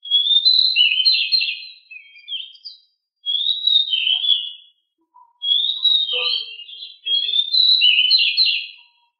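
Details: Very agile, very noisy pied bushchat singing the rolling 'ngeroll' song: four bursts of rapid, high-pitched warbling, each a couple of seconds long, with faint lower chirps in a gap.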